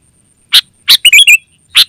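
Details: Sooty-headed bulbul lure and training call: two sharp chips, then a quick bubbly, warbling phrase of rising and falling notes, then one more chip, against a faint steady high whine.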